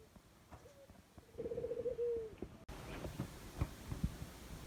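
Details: Jungle dove giving one low coo: a short note, then a fast rolled trill that slides into a long, slightly falling tone, followed by rustling and knocking noises.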